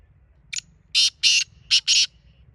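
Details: Kala teetar, the black francolin, giving one crisp phrase: a brief sharp note, then four loud rasping bursts in two pairs, with a faint thin tone trailing after and a soft low background hum.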